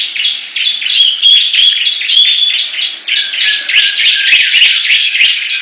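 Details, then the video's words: Bar-winged prinias singing against each other: quick, slightly whistled chirps in an overlapping series, a short pause, then a harsher, faster burst of repeated notes with clicks. "Perang Ciblek Gacor"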